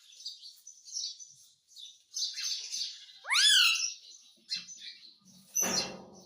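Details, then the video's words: Indoor pet Indian ringneck parakeet, said to talk in Hindi: soft, hissy, high chattering throughout, broken by one loud upward-swooping squawk midway and a sharp harsh burst near the end. "Bolne wala tota - mummy mummy bolta tota - talking parrot - mitthu mitthu"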